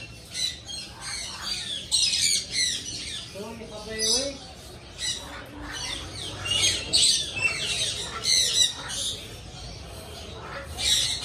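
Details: Pet parrot, presented as talking, giving scratchy squawks and chatter mixed with a brief wavering voice-like phrase in the middle, bursts irregularly spaced over the recording.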